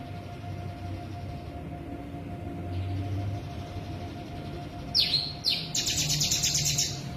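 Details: Sooty-headed bulbul doing a konslet imitation medley of cicada (bren) and ciblek: a long faint high buzz, then two quick piercing downward-sliding notes followed by a loud rapid stuttering buzzy trill, with low background rumble.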